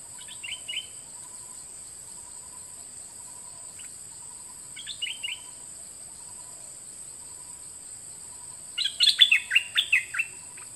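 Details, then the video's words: Song of a nok dok taeng bird, recorded in 2020 for young birds to learn and copy: two short soft chirp phrases several seconds apart, then a louder string of quick, high, bright twittered notes, over a constant thin hiss. "เสียงนกดอกแตงเจ้าเพชรกับเจ้ามณี เสียงใหม่ล่าสุด2020ไว้สำหรับต่อ ใช้หัดลูกนกให้ร้องตาม"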